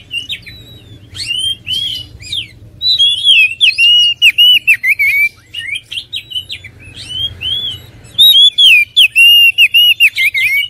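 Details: Oriental magpie-robin delivering long, varied song: rapid strings of bright whistles and chattery notes, a quieter pause midway, then another energetic rush of looping, wavering whistles.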